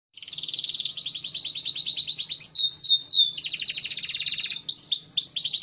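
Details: Caged AF-type canary in continuous song, kept in top form by outdoor flying therapy twice a week: dense high trills of rapid repeated notes, broken by a few sweeping whistled slurs midway, then rolling trills again.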